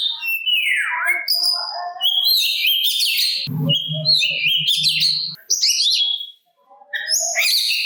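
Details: Oriental magpie-robin singing to provoke rival magpie-robins to reply: rich high chatter and whistled notes with descending slurs, a short low buzzing rumble in the middle, and a brief silence near the end.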